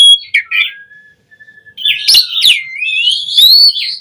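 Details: Asian pied starling singing energetically, used as a prompting recording to train starlings to sing: brief scratchy notes, then a long thin whistle after a short pause, followed by a harsh burst and a rising, wavering whistled phrase.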